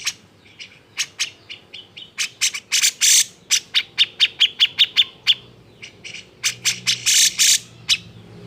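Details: Grey-cheeked bulbul in an agitated song used to trigger singing in other birds: rapid irregular sharp chirps building into loud harsh rasps, a run of evenly spaced ringing notes, then more grating bursts.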